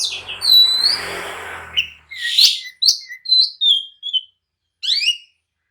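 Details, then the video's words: Oriental magpie-robin singing agitated, provoking others to answer and fight: whistled slurred notes and short chirps in bursts, with a brief hissing noise early and gaps of silence. "kicau kacer gacor emosi! jadikan kacer loyo langsung nyaut dan tarung emosi"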